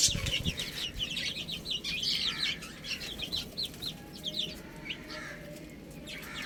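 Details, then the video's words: Baby chickens at spinach give clear, high, falling peeps that thin out toward the end, over soft low background rumble. "Adorable Little Chicks Chirping Sounds"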